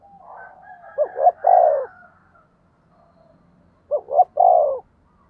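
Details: Decoy spotted dove doing 'thúc gù' cooing that urges wild doves to call: two deep coo phrases a few seconds apart, each two quick notes and a longer falling note, over a faint low murmur.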